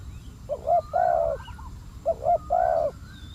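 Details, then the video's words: Spotted dove used as a decoy to attract wild doves, delivering two phrases of a short double coo followed by a longer, drawn-out mellow note. "เสียงนกเขาใหญ่ เจ้าวุ่นวาย"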